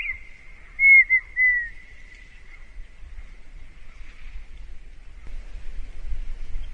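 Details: A red-winged tinamou (perdiz, Rhynchotus rufescens) gives a brief phrase of three clear, high whistled notes, then fades into faint trailing whistles over low wind rumble.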